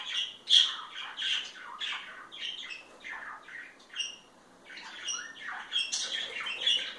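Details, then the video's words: Pair of parakeets showing affection to each other, giving a busy stream of short squawky chirps and chattering notes, high and rapid with brief pauses, indoors. "Mimos entre periquitos"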